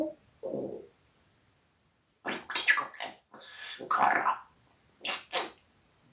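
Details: Indoors, a parrot swears at the household cat in Russian: a low hoarse sound, a pause, then a rapid string of raspy, word-like syllables and two final clipped bursts.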